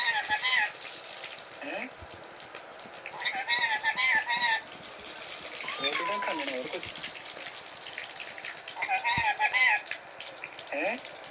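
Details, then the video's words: Indian ringneck parakeet kept as a pet, talking in several bursts of rapid, warbling speech-like phrases separated by pauses, with some soft chattering and faint running water in the background. "Indian Ringneck Parrot Talking Compilation"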